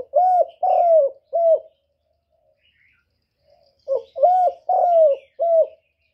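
A spotted dove gives two phrases of three soft, mellow coos, the middle note longest, separated by a pause of about two seconds.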